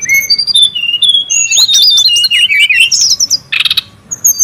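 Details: Brown-chested jungle flycatcher calling noisily in the wild: clear high whistled notes, some level and some gliding, building into a quick run of varied chirping twitters, then a short harsh rasping burst before the whistles return.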